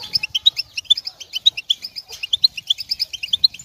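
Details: Energetic European goldfinch chatter aimed at stimulating males through the moult: evenly paced, high, clear chirps repeating quickly in a rhythmic, twittering run.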